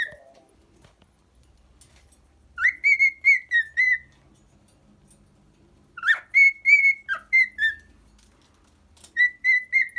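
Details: Singing cockatiel kept as a pet, giving three bursts of quick whistled notes with quiet gaps between. Each phrase opens with a sharp upslurred note and continues as evenly spaced, slightly falling whistles.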